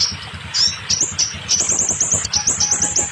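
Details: Scarlet minivet song played to get molting or silent birds singing: rapid high thin whistled notes in quick repeated runs, with a low rumbling background.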